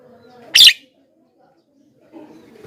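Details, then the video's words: Javan myna, recorded to make wild and caged mynas answer, uttering one grating, noisy squawk followed by silence and then a soft low rumble. "suara BURUNG JALAK KEBO,gacor menggelegar,semua jalak kebo auto nyahut"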